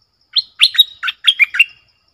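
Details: Red-whiskered bulbul giving a clear, sweet-toned 'double' song for luring: six rapid whistled and slurred notes in quick succession, bright and warbling, forming one lively phrase over about a second and a half.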